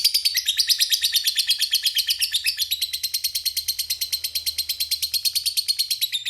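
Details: Lovebird in full 'ngekek panjang' song, a long chattering run: rapid, steady train of harsh high chirps repeated about three times per second for over six seconds, with a faint low hum underneath.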